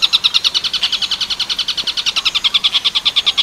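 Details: Long-tailed shrike singing in the tengkek buto werkudoro style with neken phrasing, a clear master recording for training other birds: a rapid, steady train of sharp, high chattering notes, about nine per second, unbroken for the whole stretch.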